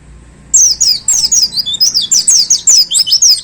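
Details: Caged white-eye hung up and singing hard in the 'tembakan' style: a dense, unbroken three-second stream of very high, twisting whistled notes, each sliding downward, repeated several times a second.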